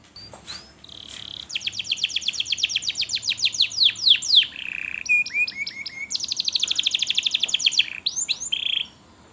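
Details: Canary singing a lure song used to teach young canaries to sing and to restart birds that have stopped singing: long, loud, high-pitched trills of rapid repeated notes, shifting between rolling tours and sharp chirps, with brief pauses between phrases.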